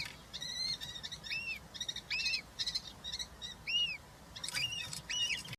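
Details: Nest of European rollers with three chicks being fed, including a large grasshopper, Hungary, June 2023; rapid series of short scratchy arched calls and clicking notes, repeated roughly every second.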